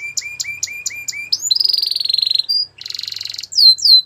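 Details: Canary song for training: evenly spaced paired chips, a long buzzy rattle, a second rough trill, ending with swooping downward whistles.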